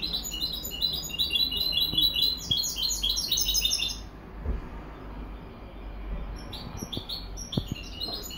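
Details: European goldfinch hybrid delivering a busy, high-pitched twittering song for about four seconds. Silence follows, broken by soft taps, before scattered bright chirps return near the end.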